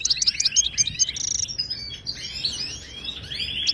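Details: Song of a wild goldfinch from Morocco, played to tutor silent caged birds: a quick series of sharp high chirps, a brief buzzy note, then softer descending twitters.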